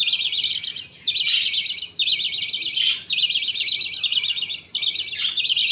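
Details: Feeding time among caged budgies, a father feeding two young while the mother watches. Buzzy, wavering chirp bursts follow closely, each lasting about a second, with clipped breaks between them.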